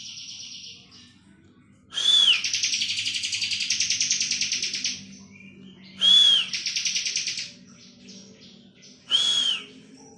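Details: Bar-winged prinia in full ngebren song: three phrases, each opening with a bright curved whistle. The first buzzy trill runs about three seconds, the next is shorter, and the last is just starting, with a faint hum below.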